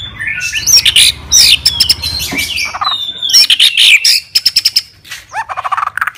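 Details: White-rumped shama singing in a fighting mood, a fighter bird seeking a rival: loud varied phrases of rising whistles, sharp high chips and fast rattling trills, ending in a quick run of descending notes.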